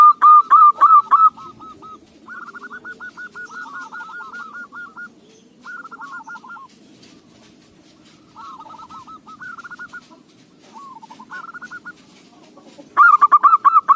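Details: Local zebra dove whose song suits use as a lure: a loud burst of rapid coos, several softer rolling, stuttered phrases with pauses, and a final loud burst.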